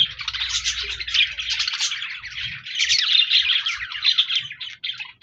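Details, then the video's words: Budgerigar singing and chirping from 14 January 2024: lively high warbled phrases and quick chirps rising and falling in loudness, with a faint low hum early on, fading at the close. "Budgies Birds Singing Chirping Sounds Parakeets sounds"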